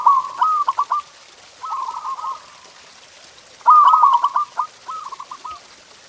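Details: Zebra dove song as a master track to stimulate pet doves: two phrases, each a fast rattling trill of soft coos trailing into a lower purring run.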